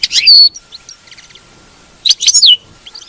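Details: European goldfinch batbata twitter used to keep a captive bird singing: two brief high bursts of tinkling chirps with a sliding whistle, separated by a second and a half of faint soft notes.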